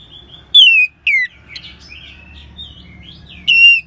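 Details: Orange-headed thrush, sung as a lure to start other birds singing: a long whistle swelling into a loud falling slur, a second slur, quiet warbled phrases, then a final strong whistled note.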